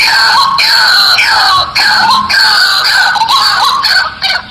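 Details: White-breasted waterhen call played as a lure for wild waterhens: strident, nasal, harmonic notes repeated about three times a second in a rolling series, some notes swooping upward.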